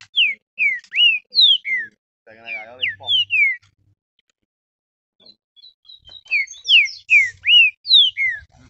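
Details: An agitated captive green-winged saltator, worked up during warm-up, sings ringing slurred whistled notes, falling and rising strokes in rapid bursts, broken by a pause and a brief human voice in the middle.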